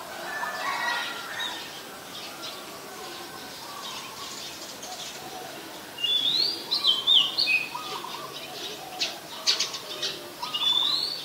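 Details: Oriental magpie-robin, a common resident bird, sings at Ubon Ratchathani, Thailand, on 14 October 2021, recorded with a Nikon P1000. After quiet chirping from other birds, a burst of loud, varied, warbled whistles starts, then one more whistled phrase follows.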